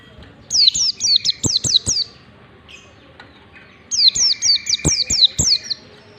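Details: White-eye ngalas song for training birds to copy: two even runs of six or seven high, descending whistles about three seconds apart, each note sharp and clear.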